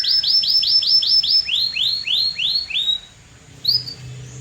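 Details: Canary song of arched whistled notes, first rapid and then slower and lower, fading out with one brief isolated note near the end.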